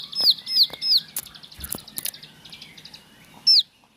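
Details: Bar-winged prinia in a home setting gives three quick high downslurred whistles, then softer twittering and a few clicks, ending with one more sharp falling note.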